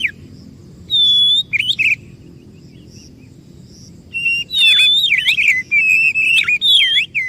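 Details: White-rumped shama singing as a lure for silent or stressed birds: a long high whistle and brief notes, a pause with soft chirps, then a lively burst of warbled, swooping whistles.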